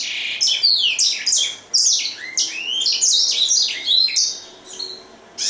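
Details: Grey singing finch in sustained song: a fast, varied run of bright chirps, downward slurs and buzzy trills, nearly unbroken, with one brief dip before the singing resumes loudly at the end.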